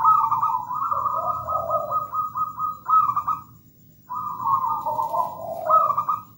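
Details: Two phrases from a busily singing local zebra dove, each a string of quick, beaded high notes over lower mellow coos, separated by a second of near silence.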